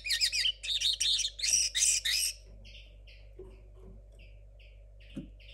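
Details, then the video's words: Young 2022 linnet hybrid still working out its song gives four loud, harsh, buzzy bursts in quick succession, followed by quieter, scattered single chirps spaced about a second apart. "mixto de Pardillo 2022"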